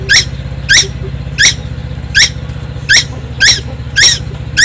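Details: Young tuwu on Timor Island repeating buzzy, falling notes, eight in under five seconds at a slightly uneven pace, over a steady low hum.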